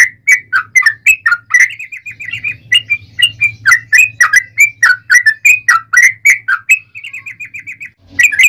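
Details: Lively 'ropel panjang' song of a yellow-vented bulbul, meant to draw replies from other bulbuls: fast, chattering string of gurgling whistles with brief steady trills, faint low hum behind.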